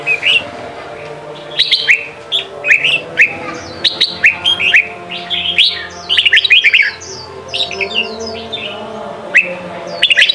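Red-whiskered bulbul giving bright, bubbly whistled phrases, short and quick, repeated with brief pauses; a faint steady hum runs underneath.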